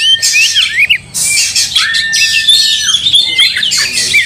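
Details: Oriental magpie-robin fighting and showing emotion, tail spread, singing angrily to rouse other birds: loud high whistled phrases, sliding notes and dense chattering trills that fill the clip with barely a pause.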